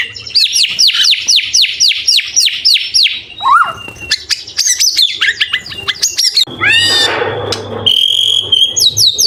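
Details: White-rumped shama 'isian' and 'tembakan' training song: a quick series of repeated swooping notes, varied whistles and clicks, a harsh rasping burst, then high thin whistles.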